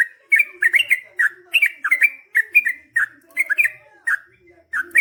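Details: Gurgling long-rolling song of a yellow-vented bulbul, played to trigger other bulbuls to respond: rapid, warbled note groups flicking up and down, repeated roughly twice a second with short gaps, faint low murmur behind.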